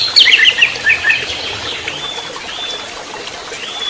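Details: Orange-headed thrush singing in trotol style, used as a tutoring lure for songbirds: a quick stuttering burst of sharp high notes, then drawn-out thin whistles that fade, with light hiss behind.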